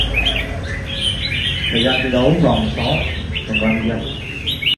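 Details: Red-whiskered Bulbul, a diligent competition songbird, gives clear, sweet warbled phrases with brief gaps between them, while human voices murmur in the background.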